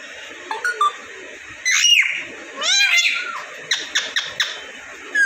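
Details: Pet ringneck parrot in Vehari, Punjab, Pakistan, talking indoors; short squeaky syllables, two longer harsh speech-like phrases, then quick clipped notes, recorded close in a small room.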